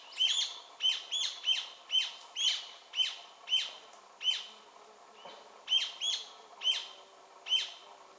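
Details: A Rufous-tailed Jacamar vocalizing from a perch at BFREE, Belize, on 7 February 2013 gives sharp, high, thin notes, repeated about twice a second with a brief pause midway, over a faint background hiss.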